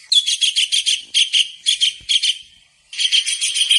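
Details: Kingfisher, locally tengkek udang, lively in a masteran recording for tutoring songbirds: pulsing, grating notes in quick groups, a fading trailing note, then a fresh burst of rapid rasping sound.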